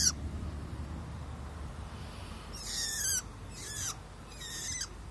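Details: Tame long-tailed shrike in the open, giving three separate harsh buzzy calls, each with a short falling whistle at its tail, amid low background noise.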